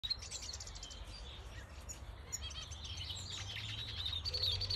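A male red siskin sings a quick, high twittering song of chirps and buzzy trills, about three or four notes a second, over a low steady hum.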